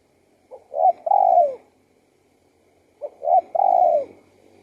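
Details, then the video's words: Spotted dove song heard as two phrases: a faint lead note, a short coo, then a long mellow coo that falls at its end, about two and a half seconds apart. "BIRD SINGING"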